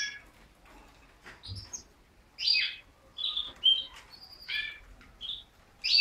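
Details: Canary giving separate short chirps and brief warbled notes with quiet gaps between them, soft and intermittent.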